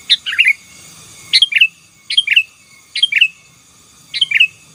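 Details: Sooty-headed bulbul singing gacor to dominate rivals, a series of five lively bubbling phrases with descending slurred whistles, spaced about a second apart, in a quiet setting.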